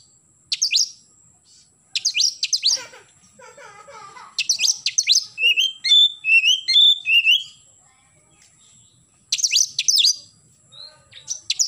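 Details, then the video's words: An oriental magpie-robin sings busily in the morning in the 'nembak' style. Sharp bursts of fast, high downswept notes alternate with lower twittering runs and a stretch of varied whistled phrases. "KACER GACOR pagi hari nembak"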